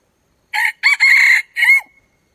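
A red junglefowl gives one brisk crow in four quick parts, the last clipped short, shorter and higher than a farm rooster's crow. No other sounds are heard.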